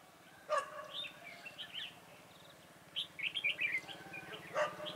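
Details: Red-whiskered bulbul, recorded outdoors while trapping bulbuls on 4 February 2018, gives scattered short chirps, then a rapid run of bright, wavering notes; sharp clicks and knocks punctuate the background.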